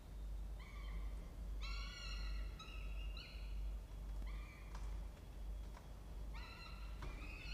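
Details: Family of peregrine falcons using a nest box inside a water tower in Orange, New South Wales, Australia, October; short harsh harmonic calls in spaced bursts with gaps, low constant hum beneath.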